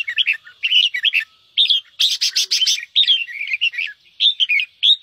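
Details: Rapid 'ché' song of a red-whiskered bulbul, kept as a cage bird and played to spur others to sing: quick slurred whistled phrases with a loud burst of harsh, buzzy chattering midway, then more warbling.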